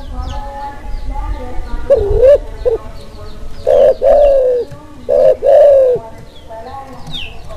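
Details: Kelantan-type spotted dove in breeding mood, a call used to stir silent doves and to lure birds; low, mellow coos with a dipping then rising tone, given in short bursts, alongside faint high chirps from other small birds.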